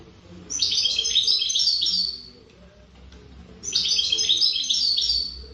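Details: Wild-caught European goldfinch (mqnin khalwi) singing a distinctive melody: two bursts of rapid, high, tinkling twitters and trills, each about one and a half seconds long, separated by a short pause.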